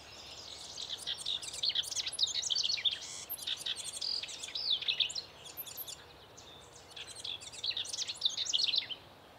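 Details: A female Broad-tailed Hummingbird at her nest gives rapid, high, scratchy chips and twittering bursts in two bouts, with a faint hiss of background noise.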